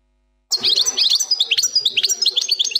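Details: European goldfinch song in the plak mine style: one unbroken run of sharp, high, tinkling chirps and twitters following a short silence.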